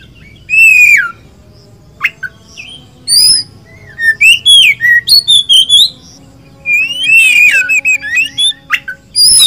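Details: Singing kacer, Oriental magpie-robin, Indonesian poci or local type: scattered sharp whistles and clicks, then a quick string of short bright notes and a final warbled burst.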